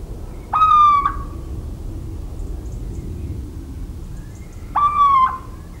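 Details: Two plaintive, slightly downslurred hoots from a little owl, recorded in rural central France on 17 March 2019, spaced about four seconds apart against a steady low rumble.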